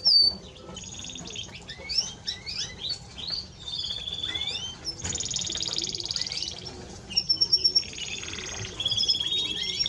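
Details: Timbrado Español canary singing with varied swooping whistles, a long buzzy trill, rapid clicking series and sustained high tones, recorded at a lower level with background hiss.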